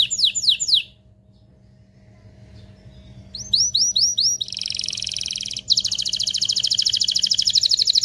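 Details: Excited canary song to ready a pair for mating: a few swooping notes, a quiet pause, more rolled swoops, then long, intense buzzing trills that run to the end.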